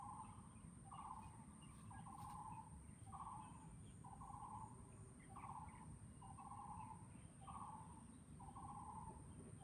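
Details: A Taiwan barbet at Chunghsing New Village, Nantou, Taiwan, on 12 April 2018, gives hollow, low-pitched hooting notes about once a second over a constant background rumble and a thin high hiss.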